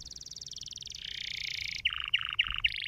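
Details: Canary song used to train and stimulate canaries: a long rapid trill that drops in pitch after one second, then four sharp descending whistled notes in quick succession, over low background rumble.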